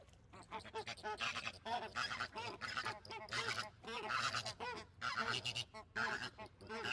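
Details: Flamingos calling together, a dense chorus of overlapping nasal honks and gabbling notes with no pauses, like a busy goose flock.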